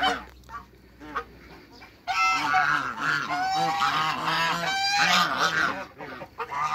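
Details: African geese, a domestic breed, calling on a farm while meeting other waterbirds: a quiet start, then from two seconds a dense, continuous chorus of loud nasal honks from several birds, overlapping and rising and falling in pitch.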